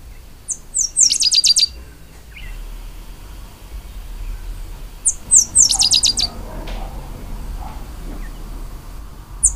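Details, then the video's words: Pale-headed brushfinch gives two short songs about five seconds apart. Each has a few very high, descending slurred notes, then a quick rattling run of repeated clipped notes. A faint low rumble and rustling sit underneath, and a lone high note closes. "O canto do Tico tico grisalho"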